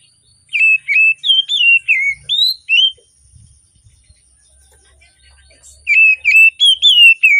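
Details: Oriental magpie-robin singing in the morning as a lure for reluctant magpie-robins. Seven loud, clear whistled notes, some warbled and some rising, then a quiet gap with faint rustling before more whistles.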